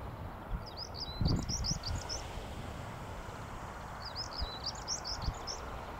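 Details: Song of a European stonechat at Hengistbury Head, 21 March 2019, with two brief phrases of quick, high, chattering notes a few seconds apart against constant low-frequency wind and background noise.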